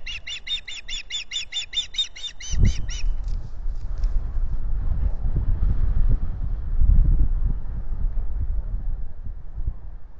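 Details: Osprey of a nesting pair at a lake nest at Salt Point, filmed by nest camera on April 9, 2021, early in the season after courtship began: rapid run of high chirped whistles, about four per second for three seconds, then low banging and rumbling.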